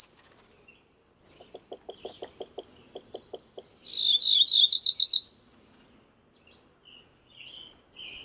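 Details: A run of sharp, evenly spaced ticking notes comes before a single Cerulean warbler song. The song is a high, buzzy, upward-climbing series of quick wavering notes that ends in a thin trill. Scattered soft chirps follow it.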